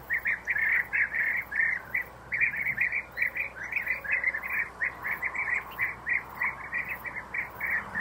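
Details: Adult European bee-eaters bring insects to young in breeding burrows. A dense, continuous run of short, burry trilled notes, many overlapping, as several birds call together.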